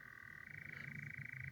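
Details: Nightjar churring at night on heathland, one bird off to the right and another to the left, both fairly distant; an even, unbroken churr with low background rumble.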